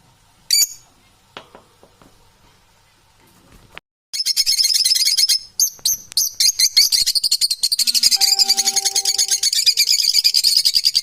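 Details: Domestic parrots calling: after a quiet start with a few isolated clicks, a dense stream of harsh, high, rasping squawks repeats rapidly, with a few faint steady tones partway through.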